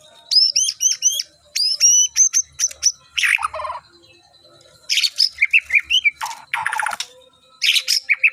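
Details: White-rumped shama preparing for a singing contest: a run of clear, bright upslurred whistles repeated rapidly, followed by harsh scratchy bursts and twisting whistled notes in varied phrases.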